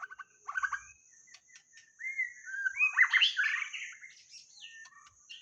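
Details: White-rumped shama song played to lure birds: rich, varied phrases of clear slurred whistles mixed with short harsh rattles, loudest in a dense burst near the middle, over a steady high-pitched insect-like drone.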